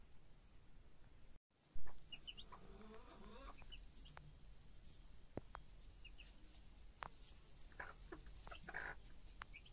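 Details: Broody hen with her chicks: after a sharp knock, a run of low, rapid clucks, then scattered short notes and high chick peeps over a low background rumble.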